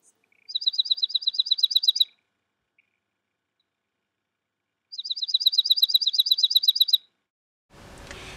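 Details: Dark-eyed junco (Junco hyemalis), one of a pair seen in a backyard, gives its distinctive call: two rapid, even trills of high, dry chips, each about two seconds long, then a brief burst of rustling noise.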